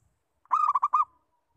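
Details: Local zebra dove lure call: a brief soft onset, then a rapid rolling run of hollow, pulsed coos lasting about half a second, ending in a thin fading tail. There is little else in the background.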